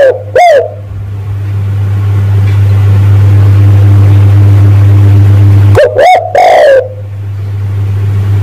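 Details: Spotted dove calling to lure in males: a short coo at the start, then a long pause, then a cluster of two or three rounded, arching coos. A constant low hum runs throughout.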